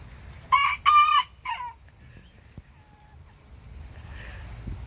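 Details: Tiny bantam rooster talking back to a big rooster next door: one quick high three-note crow, with a sharp short start, a drawn-out middle and a clipped falling finish, then near quiet with faint clicks.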